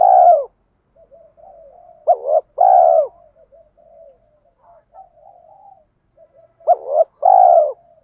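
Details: Spotted dove cooing as a training lure in the 'thổ' style: a long coo, a pause filled with soft low murmurs, then a short double note and a steady drawn coo, repeated near the end.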